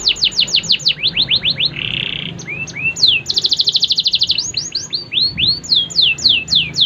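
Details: Canary song from a bird identified as a Faba SF canary in Comal, Pemalang, Central Java, Indonesia: a loud, varied run of fast descending whistled sweeps, a short buzzy trill, a rapid rattling roll, then rising and falling slurred notes.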